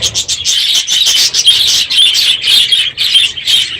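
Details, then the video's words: Morning in a packed budgerigar aviary at the end of the breeding season; sharp high chirps in quick bursts, roughly two per second, over constant flock twittering. "My Budgies Today - NOISY birds this morning!"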